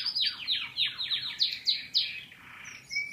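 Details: Canary singing a fast series of sharp, steeply falling notes, about four per second, followed by a soft buzzy passage and a short clear note.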